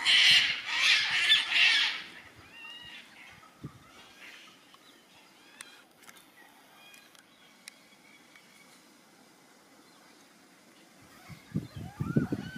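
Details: Wild yellow-tailed black cockatoos in Tasmania, Australia: a run of loud, harsh, rasping squawks over the first two seconds, then scattered fainter calls in a quiet outdoor setting, with rustling near the end.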